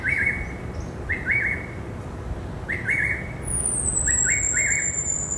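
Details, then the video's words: Greater racket-tailed drongo song recorded in a herb garden one Saturday afternoon, 16 December 2017: clear whistled double notes repeated roughly every second and a half, plus a high descending whine over steady low hum. "Singing of Greater Racket-tailed Drongo"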